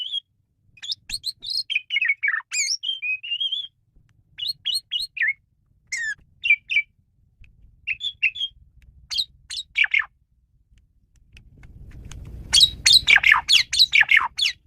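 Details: Male Asian pied starling in full, varied song, played to lure other birds: a rapid run of high whistles, chirps and harsh squawky notes in quick bursts and short pauses, ending in a dense burst of scratchy notes over low rumbling.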